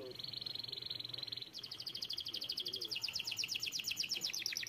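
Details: Canary song heard faintly against background noise: a steady high buzzy trill shifting into a faster series of rapidly repeated notes.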